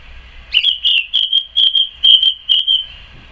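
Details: Garden song thrush singing on 12 May 2014: a long run of about nine quick, sharp, piping whistled notes at one pitch, delivered in a rapid, slightly uneven rhythm after a short rising opening note.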